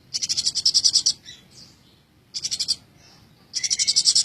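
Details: Very tame Eurasian tree sparrow in full voice, giving three high buzzy chattering bursts of rapid pulses, each under a second, with brief quiet gaps and faint thin notes between them.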